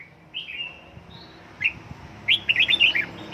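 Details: Red-whiskered bulbul kept and trained at home, in fired-up 'căng lửa' singing: a few short whistled notes, then a quick burst of bright, warbled chirps near the end, with low background rumble.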